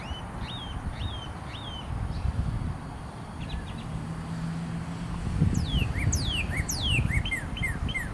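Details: Northern Cardinal, a red male, singing his heart out on 22 February 2013: a run of clear, steeply falling whistled slurs, repeated quickly, with softer chirps earlier and a steady low rumble like distant traffic.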